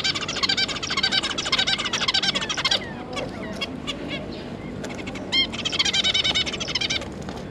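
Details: Pair of zebra finches with three juveniles, 9 June 2022: quick runs of nasal, chattering notes in two bursts, with a single louder call and scattered clicks between them.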